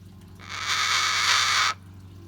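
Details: Captive pet cockatoo, relaxing, gives a single harsh, raspy, hissing screech lasting just over a second, steady and unbroken, in a quiet indoor room with a low background hum.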